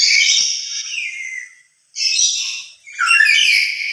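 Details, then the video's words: Harsh, raspy screeching from a solitary lory calling loudly in an emotional state. A long first screech trails downward, then two shorter rough bursts follow after a brief pause. "Suara lebih keras sendiri dari pada bersama burung nuri lain"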